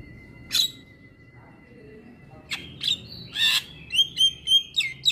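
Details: Black-winged myna in a morning training recording for mynas; a lone harsh squawk and long thin whistle, then a tumbling run of grating notes and bright whistled chirps.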